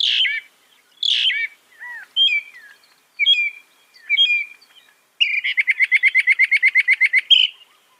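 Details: Northern mockingbird moving through varied phrases: slurred downward notes, a few thin twittered figures, then a long, rapid, machine-like rattle of evenly repeated notes.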